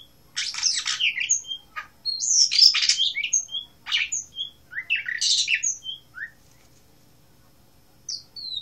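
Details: Blue rock thrush, Asia: a run of scratchy, twittering phrases with sharp whistles and quick down-slurred notes. It is uneven and busy for about six seconds, then falls quiet before a last short note.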